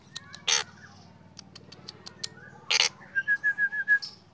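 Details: Morning song of a black drongo: two loud harsh rasping bursts, then a run of six clear whistled notes repeated quickly on one pitch, with scattered faint clicks.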